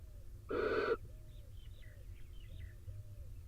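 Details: Barn owl in a nest box in Israel on a rainy day: the male arrives soaked and joins the incubating female. One harsh, breathy hissing screech lasting under half a second, then faint thin squeaks over a steady low rumble.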